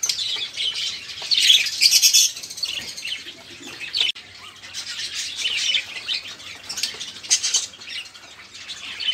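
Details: Budgerigar group chatter used as a prompt for caged songbirds; continuous scratchy warbling and chirps, louder at the start then steadier and softer.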